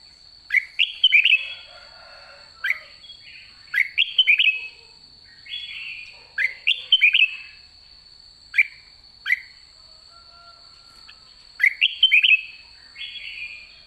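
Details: Red-whiskered bulbul with white cheeks at the end of the season, described as 'đã ché': short bright whistled phrases, rising then warbling, repeated in bursts every one to two seconds with a steady high tone behind.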